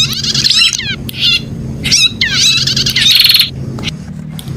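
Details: Prinia giving quick series of sweeping, slurred notes followed by grating buzzy bursts, ending in a short harsh trill before falling quiet, over low-pitched background hum.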